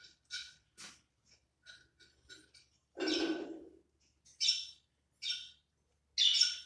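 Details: Pair of pet budgerigars relaxing in winter: soft, scattered high chirps and brief buzzy notes at irregular intervals, with one longer, fuller chatter in the middle, and otherwise quiet surroundings.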